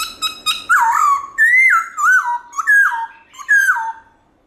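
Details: Black-throated laughingthrush (Pterorhynchus chinensis) sings loud, rich whistled phrases that swoop up then drop, five phrases in under four seconds after quick opening notes; played to stimulate caged birds to sing.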